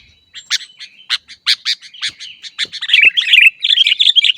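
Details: Caged-bird training song of the sooty-headed bulbul, or kutilang: spaced sharp chirps at first, then speeding into a dense, bubbly, chattering warble toward the end.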